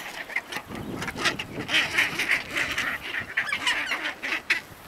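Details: Chinstrap penguins fighting in the Antarctic, with chicks nearby; harsh, braying calls around mid pitch repeat in rough pulses through the clip, several birds overlapping against colony noise.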